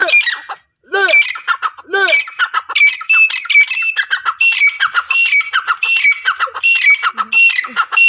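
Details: Francolin (teetar) calling, with harsh, squawking notes and short whistled notes repeated rapidly and overlapping throughout. Several similar high calls layer together, and two brief lower, arching sounds break in near the start.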